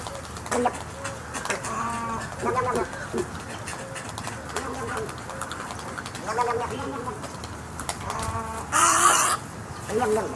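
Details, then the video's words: Snowy egrets on a live cam give funny nasal, wavering, gargled calls in short bursts every second or two, with a brief harsh rasp near the end over a low background hum. "Snowy Egrets' funny noises"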